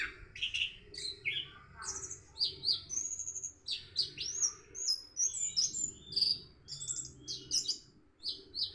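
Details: Morning song of an Orange-headed thrush practising the 'rock and roll' style: dense, high, varied whistles and sharp slurred notes in a continuous rush, with short rising and falling sweeps, against a faint low background hum.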